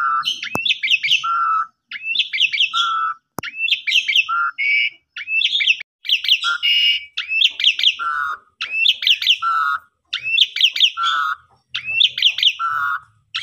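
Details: Asian pied starling (Gracupica contra), song.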